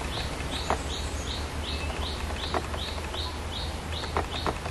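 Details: Scarlet-backed flowerpecker, a pair building a nest: a steady run of thin, high, arched ticking notes, about two or three per second, over a low, constant background hum.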